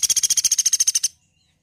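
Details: Woodpecker in a tutor recording for songbirds: a short, loud, high rattle of about thirteen sharp, evenly spaced pulses in just over a second, ending abruptly into silence.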